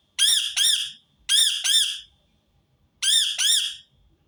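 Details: Rose-ringed parakeet giving its harsh call in three paired bursts, each pair of loud grating screeches separated by about a second of near silence.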